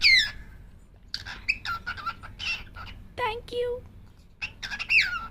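A cockatiel chatters in a high, raspy voice, mixing mimicked word-like phrases with sharp whistled sweeps.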